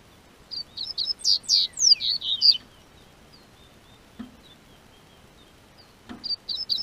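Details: Spring song of a Double-collared seedeater in southern Brazil, warming weather: a quick two-second burst of bright, high chipping and down-slurred notes, followed by quiet with a couple of dull knocks and a brief restart.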